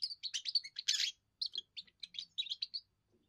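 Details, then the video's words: European goldfinch, a young bird singing its first song to defend territory and attract females: loud bright twittering at the start, then a gap and a series of shorter chirpy phrases, faint low sounds at the end. "first song of a young goldfinch amazing wonderful singing"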